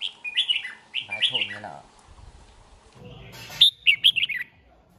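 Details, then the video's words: Red-whiskered bulbul from Hoà Bình, kept more than two seasons, giving lively whistled phrases in two bursts, separated by a stretch of low human speech. "Chào Mào Mộc Hơn 2 Vụ Bộ Đẹp Gấu Chim Giọng Rất Hay Gốc Hoà Bình"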